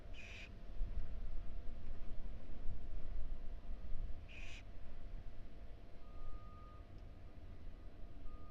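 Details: Tiny barn owl nestlings fed small pieces of food in a University of Florida nest box; two brief, breathy hisses about four seconds apart, with a constant low mechanical drone beneath.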